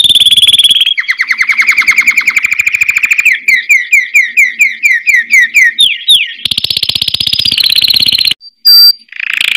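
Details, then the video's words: A canary sings fast, rolling trills of rapidly repeated high notes, the tours shifting in pitch and speed, ending in sharp, piercing whistles. "KENARI GACOR NGEROL NEMBAK | CANARY SINGING"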